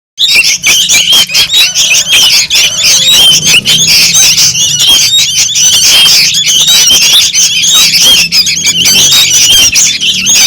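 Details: Noisy young sooty-headed bulbuls used as a lure sound to attract birds: dense, overlapping harsh squawks and chattering notes, high-pitched and continuous for the whole stretch, with many birds calling at once and no pauses.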